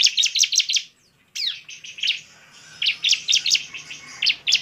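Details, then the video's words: A Bar-winged prinia gives rapid, very high, bright chirping bursts in quick repeated groups, with a brief pause and one sharp downward sweep; the recording is used to provoke other prinias into aggressive, persistent calling. "suara pancingan CIBLEK GACOR biar ngamuk dan ngotot"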